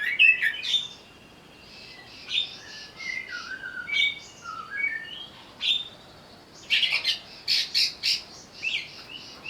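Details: An agitated greater green leafbird, provoked to sing, strings together clear whistled slurs, some falling, then breaks into loud, harsh grating bursts repeated several times.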